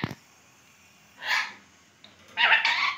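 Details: Pet rose-ringed (ringneck) parakeet at a mirror, among other parrots in a new home, giving two short bursts of harsh, raspy, high, scratchy chatter about a second apart in a quiet room.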